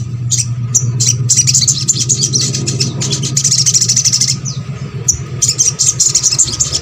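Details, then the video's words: Crimson sunbird (sogok ontong) song, a training recording played to coax other birds of its kind into singing: high, thin chirps and rapid buzzy trills in bursts, with a steady low hum and a faint continuous tone beneath. "MASTERAN SOGON ( sogok ontong ) BAHAN AGAR RAJIN BUNYI"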